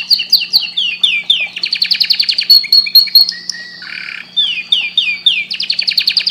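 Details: Loud canary song meant to stimulate breeding: repeated downward-sweeping whistled notes, fast trilled runs, a short harsher buzzy phrase in the middle, then more rapid sweeping notes.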